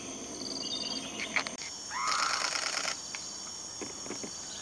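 A single mid-pitched whistled note that slides upward, partly masked by a burst of rustling noise, over thin high insect trilling.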